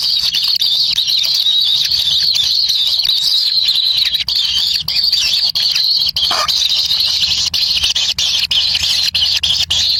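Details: Wild kingfisher chicks compete for a black lizard at their nest. A long, unbroken, high hissing buzz wavers slightly in pitch, with one brief lower squawk partway through.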